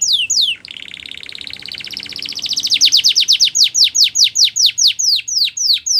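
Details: Canary singing as encouragement for fellow canaries: two falling whistles, then a soft rapid trill building in volume into a regular sequence of loud descending notes, roughly two per second.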